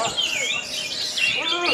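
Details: Orange-headed thrushes in a singing contest in Karawang, Indonesia: a short burst of clear downslurred whistles and stacked warbling notes from several birds together.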